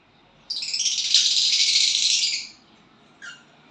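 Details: A violet bird sings as it gets a partner, pouring out a harsh, buzzy, high-pitched chattering run of rapid notes for about two seconds. The song stops abruptly and a single short chirp follows after a pause.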